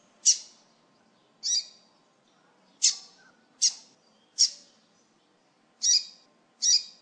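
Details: Double-collared seedeater (Sporophila caerulescens) giving seven short, high, bright chirps at uneven gaps of about one second, used to warm up birds, with a faint low background hum.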